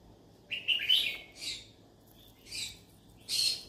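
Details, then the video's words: Pet yellow-sided conure seeking friends to talk to, giving a buzzy rising chirp followed by several short harsh squawks spaced about a second apart in a quiet indoor setting. "Yellow sided conure sounds : I'm looking for friends to talk to"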